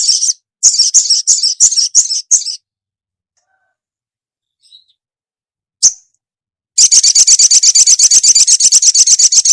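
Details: Calling female ruby-cheeked sunbird summoning the male: a burst of high chattering chirps, a pause with one sharp chip, then a long fast run of evenly repeated high ticks.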